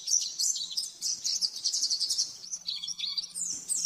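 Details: Rapid 'nembak-nembak' master song of the oriental white-eye, meant for training caged birds: dense, very high, jittery twittering that pauses for a moment, then resumes with descending slurs. A low electrical-like hum persists.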